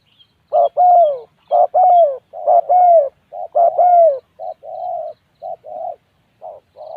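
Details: Spotted dove cooing: a steady run of low, mellow, slightly rising-then-falling coos in doubled and tripled phrases, about one a second, the later notes shorter and softer, against a quiet background.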